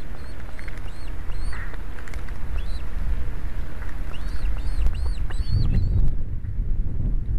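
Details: Osprey calls at a nest in Estonia on 11 July 2017, 16:27, as a huge fish arrives for soaked young: thin whistled chirps in short repeated runs over steady low rumbling noise, likely wind or rain.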